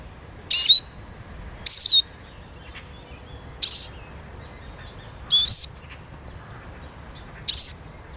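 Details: Eurasian siskin giving five loud, high whistled notes, each a brief squeaky flourish trailing into a thin steady tone, spaced irregularly over about eight seconds against a quiet background.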